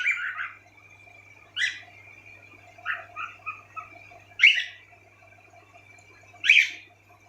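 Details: Indoor pet cockatiels, one bird peering at its own reflection, give scattered soft chirps and chattering notes broken by three loud, harsh screeches spaced roughly two seconds apart, in a quiet room.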